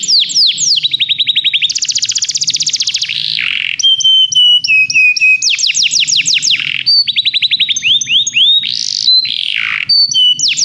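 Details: Begie canaries singing for song training: rapid high trills of repeated downward-sweeping notes, switching between phrases, with buzzy rolls and a few clear whistled notes; faint low hum underneath.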